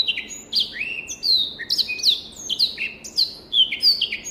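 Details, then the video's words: Black-throated canary, an African finch, singing a clear tutor song for training other birds: rapid varied whistled notes, many sliding downward, linked into a continuous sweet warble with short trills. "SOUND of BIRD BLACKTHROAT || FINCH SINGING || MASTERAN BLACKTHROAT"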